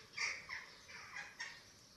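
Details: Eurasian eagle-owl at a nest webcam in Germany, 27 March 2024, during feeding of chicks, giving four harsh, raspy, hissing bursts, high-pitched and uneven, about a third of a second apart.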